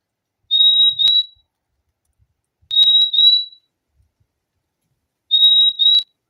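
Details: Fim-fim, the purple-throated euphonia, gives three high pure whistled couplets spaced about two seconds apart, each two steady notes joined closely, in an otherwise silent background.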